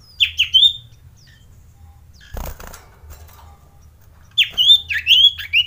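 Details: Male common iora sings two bursts of bright, quick whistled notes that slide down and up, with a short knock between them; the song is used to provoke rivals and stir breeding excitement.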